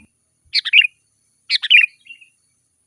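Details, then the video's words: Sooty-headed bulbul singing in lively gacor style, a recording meant to draw wild birds and prompt caged bulbuls to answer: two short, liquid, chattering phrases about a second apart, with a faint trailing note between them, in quiet surroundings. "Suara burung kutilang gacor Garuda full gacor dan ngeroll"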